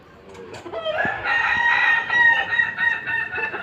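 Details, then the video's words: Kokok Balenggek chicken being sunned, giving a long, drawn-out, steady crow over noisy background. "Keseruan jemur ayam kukuak balenggek"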